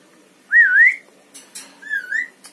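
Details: Javan myna, a talking bird that mimics words and whistles: two wavering whistled notes. The first rises and falls, and the second is softer and lower, about a second later, with faint clicks between them.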